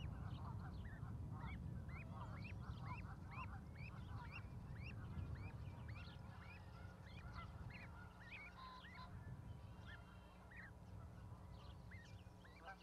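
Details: Goslings on a Montana osprey nest in Charlo with a parent, May 12, 2020; rapid series of short upswept peeps, several per second, fading later, over heavy low wind rumble.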